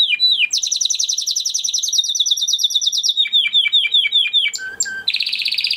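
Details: Crested Spanish Timbrado canary, a captive male from 2020 breeding, singing a training song: fast, rolling trills held on one pitch, then shifting lower into repeated falling notes, a few short steady whistles, and a final high trill.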